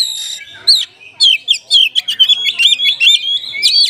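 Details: Oriental magpie-robin in a cage, singing a rich fill-in song meant to wake up sluggish caged birds: a few slurred whistles, then a rapid rattling series of sharp high notes.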